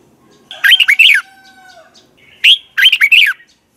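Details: Red-whiskered bulbul giving its double twisted morning song for bulbul training: a bubbly warbled phrase, a faint steady whistle, then a short note and another rollicking phrase.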